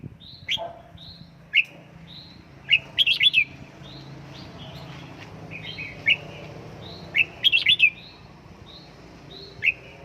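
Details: Home-trained caged red-whiskered bulbul delivering clear whistled notes and warbled bursts at irregular intervals, a few short phrases overlapping as another bulbul answers; steady low hum behind.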